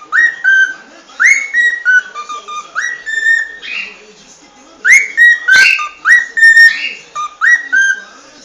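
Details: Cockatiel whistling a tune: one short phrase of rising then level whistled notes, repeated several times with brief pauses. A sharp click or knock is heard midway.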